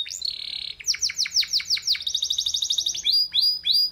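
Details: Canary singing: a held high whistle, then a run of fast descending sweeping notes, a rapid buzzy trill of repeated high pulses, and finally a few slower bright down-slurred whistles, all crisp and loud.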